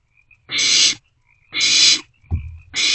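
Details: Night recording from a barn owl nest box, 27 March 2024, owlets passing food back and forth; three long, noisy, breathy screeches and one dull low thud between them.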